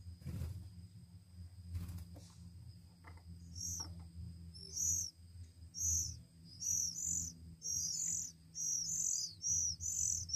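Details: Hand-fed Oriental magpie-robin chicks, one week old, begging: after a few soft knocks and a quiet start, shrill squeaky chirps build into a rapid, insistent series, roughly one per second and growing louder toward the end.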